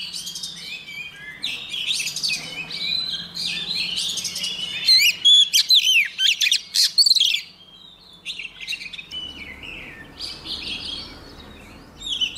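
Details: Oriental magpie-robin female singing to stir males into song. Dense, scratchy warbling gives way to a loud series of sharp, rapidly changing whistled notes. A quieter stretch with faint chirps and low background hum follows.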